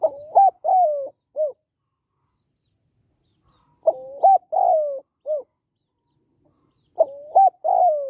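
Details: Female spotted dove giving her calls to excite males: a four-part cooing phrase of short hoots around one long descending coo, repeated three times at roughly 3.5-second intervals in clean quiet.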